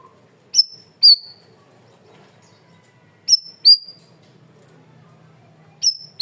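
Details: Masteran training recording of a cream-vented bulbul, loud and clear: sharp high whistled chips in pairs, each pair separated by a few seconds of near quiet with a low steady hum.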